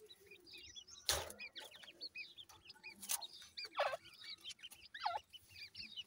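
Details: Grey francolin chicks peeping softly in scattered high chirps, broken by a few loud broadband thumps and rustles.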